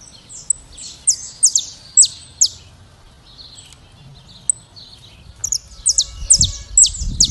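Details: Saffron finch in classic song: bursts of piercing, falling high chirps, a quiet gap with faint notes, then a second rapid burst, with some low background noise at the end.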